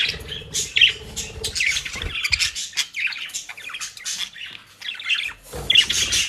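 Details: Pet budgerigars in Den Haag eating dry leaves and grass from a bird shop: continuous scratchy warbling chatter over a low, buzzing hum.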